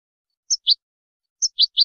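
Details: European goldfinch in a ten-hour training recording for teaching captive birds, giving short high chirps in two quick groups, a sharp upper note followed by lower twittering notes, with silence between.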